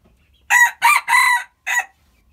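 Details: Crow of a hybrid red junglefowl: three rapid, rough, ringing syllables, the third stretched, followed by a brief separate closing note; little other sound around it.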